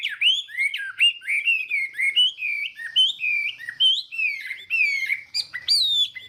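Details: Chinese hwamei giving a varied morning song meant to train its voice: swooping, whistled phrases that rise and fall, delivered in uneven bursts with clear, ringing tones throughout.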